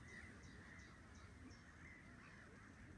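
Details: A black-winged stilt gives a series of nasal, yapping notes about twice a second over a low rumble of wind, recorded at Hania's Polder in the Nieuwe Dordtse Biesbosch, Netherlands.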